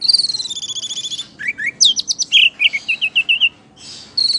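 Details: Orange-headed thrush in full song, described as bobbing as if drunk while singing: a fast rattling trill, then a string of sharp whistled and slurred notes, ending with the trill again.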